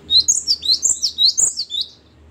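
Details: Gelatik batu, or great tit, in loud gacor song: a tight, unbroken run of about ten ringing high notes, each falling in pitch, lasting around two seconds.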